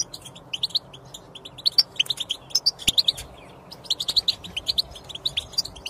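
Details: European goldfinch singing, played to get a silent goldfinch singing; twittering, liquid high notes strung in irregular quick phrases, starting softly and growing denser.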